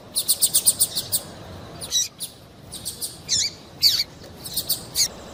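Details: Female double-collared seedeater calling to prompt a male's song: a fast string of high chirps, then sparse notes that drop steeply in pitch, closing with a short burst.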